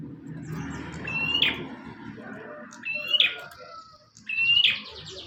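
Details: Three evenly spaced phrases from an actively singing bar-winged prinia, kept as tutor audio for birds: each a short high whistle finishing in a grating buzz, set against a murmur of low background noise.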